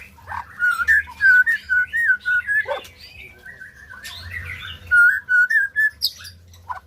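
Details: White-rumped shama singing, played to get silent birds singing: two bursts of loud, clear, fluty whistles at an even pitch, a dipping note between them and a high thin flourish at the end, over a faint low drone.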